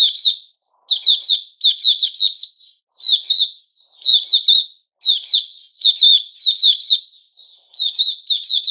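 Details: Male sooty-headed bulbul (Puteh Raja), recorded 10 July 2021, singing loud bursts of two to four slurred, warbled whistled notes. The bursts repeat almost every second with short pauses between them, and no other sounds are heard.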